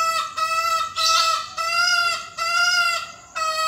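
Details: Green junglefowl crowing from a 2020 crowing contest: several strong, rich harmonic crow segments of about half a second to a second, separated by brief dips, with a harsh buzzy burst near the start.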